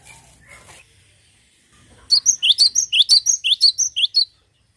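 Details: Cinereous tit, locally glatik batu, singing: after two seconds of near quiet, a fast series of about fifteen sharp, high, clipped whistled notes in quick succession, each dropping then rising, lasting a little over two seconds.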